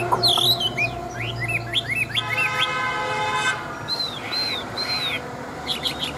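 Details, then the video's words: Chinese hwamei, a large adult wild-caught fighting bird. It gives rapid twisting whistled phrases, then three arched whistles in a row, while a droning horn-like tone sounds in the background partway through. "Họa Mi Bộ To, Chim Già Rừng Chất Giọng Rừng Rất Hay"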